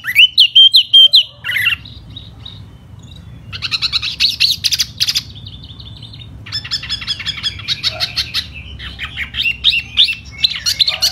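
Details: Laughingthrush fanning out as it sings in spring: loud whistled opening notes, then long bursts of rapid, buzzy, chattering phrases with short quiet gaps between them.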